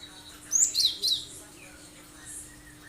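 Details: Gelatik batu, the cinereous tit, singing full sharp 'tembakan tajam' phrases used to prompt other birds to copy it: three quick, very high, piercing notes close together, then a faint whistle in quiet background.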